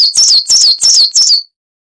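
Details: Coal tit song from a training recording for caged birds: four quick, bright, high-pitched two-note phrases, each sliding downward, repeated about every third of a second before stopping.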